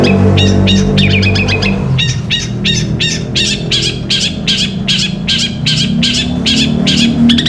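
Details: Steady string of crisp, evenly spaced chirping notes from a Long-tailed shrike in 'gereja petir' song style for training caged birds, roughly 160 per minute, with a low droning hum beneath.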